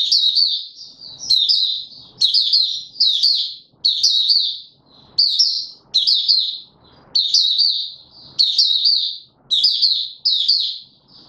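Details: Male white-eye in open song, 31 December 2021: short, high, jumbled warble bursts repeated roughly once a second, each a cluster of quick slurred chirps with brief silences between.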